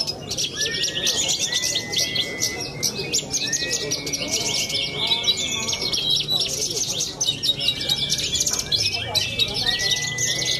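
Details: Contest-singing young Australasian bushlark from central Cilacap delivers continuous, buzzy, densely packed high warbling, while repeated long rising whistles from nearby birds and faint crowd noise fill the background.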